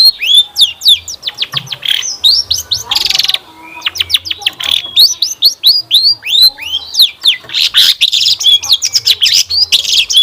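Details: Dense, nonstop long-tailed shrike song used as a lure to make other shrikes sing, mixing rapid sweeping chips, hooked whistles and a few harsh rasping bursts in a rich medley.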